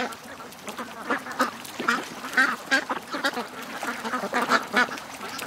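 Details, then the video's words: Ducks among a flock of more than 700 ducks and geese, rushing to the lake in the morning. Short, nasal quacks come in clusters, getting louder toward the middle over a softer background chatter. "To The Lake... 700+ Ducks & Geese Morning Rush"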